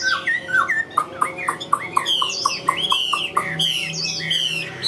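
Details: Chinese hwamei kept in a cage, a big bird that flicks its wings and tail, pours out a fast varied song of short sharp whistled notes in quick series, then higher sweeping slurred phrases.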